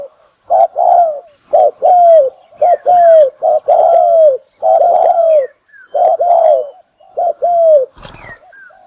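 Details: Low cooing of a spotted dove for bird-trapping lure use, repeated paired notes with a falling second coo, in a steady run, faint chirps behind and a brief rustle near the end.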